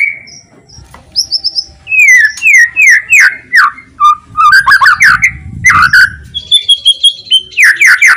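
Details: White-rumped shama in loud song aimed at provoking other shamas to sing, opening with a lone whistle, then a series of sharp downslurred whistles, varied chirps and clipped rattles delivered at a fast, uneven pace.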